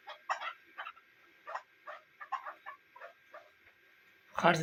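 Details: A female chukar used as a hunting decoy gives a string of about a dozen short, husky clucks at an uneven pace, ending in a loud burst of rustling noise.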